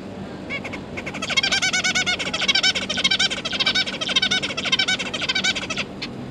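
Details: Zebra finch family, two parents feeding three newly fledged juveniles, recorded 31 October 2022: a loud, rapid run of nasal harmonic calls, nearly two per second, lasting about five seconds before stopping abruptly.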